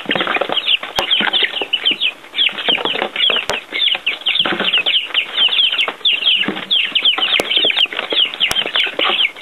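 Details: Baby chickens outside for the first time, feeding on earthworms: a dense chorus of many shrill overlapping peeps, constant and busy, with occasional sharp clicks.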